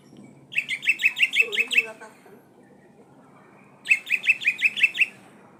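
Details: Oriental magpie-robin of the poci variety in full song: a burst of seven quick, sharp, ringing notes, a pause of about two seconds, then a matching burst, with soft low warbling beneath.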